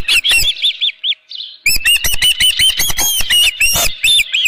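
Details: Osprey at the nest with a live fish on the morning of 24 June 2018, 7:32 AM, at a ranch; clear arched whistles repeated evenly, a short pause, then a dense, excited stream of piercing chirps.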